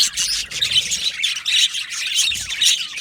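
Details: Many Australian budgies chirping together in an aviary colony; bursts of scratchy warbling with a few thin whistled tones, rising and falling in loudness over a few seconds.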